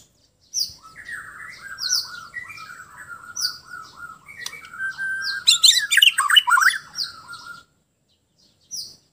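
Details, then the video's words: White-rumped shama from Sabah, Borneo, singing in a relaxed manner: a rich, fast stream of varied whistles, warbles and sharp high notes, growing denser and louder toward the end before a pause and a brief final phrase. "Kicauan murai batu Sabah"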